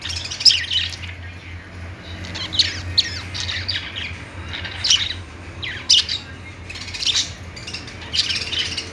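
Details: Budgerigars give sparse, sharp squawks and short chirps, spaced a second or two apart, over a quiet low hum.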